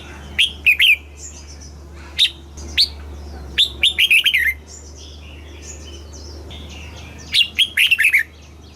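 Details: Thai caged red-whiskered bulbul, southern master style, used to train chicks: scattered single whistles and several quick warbling phrases, with softer distant bird calls and a low continuous hum.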